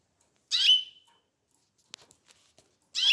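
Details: Canary chicks: a short, harsh, noisy chirp ending in a brief thin whistle, then near silence with faint clicks, and another rasping chirp starting about two and a half seconds later.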